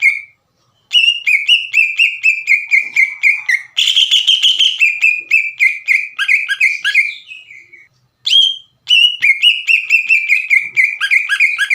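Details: Loud, lively green leafbird song used to provoke other leafbirds into singing along: rapid series of clear whistled notes around a steady pitch, each with a sharp upward flick, broken by a harsher buzzy burst midway and brief pauses.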